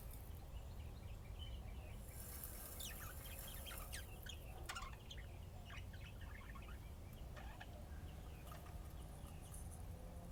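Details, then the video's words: Budgerigars playing and chirping in Austin, Texas, USA: soft, scattered warbling chirps and short twitters throughout, with a steady low hum underneath. "طيور الحب لعب وزقزقة"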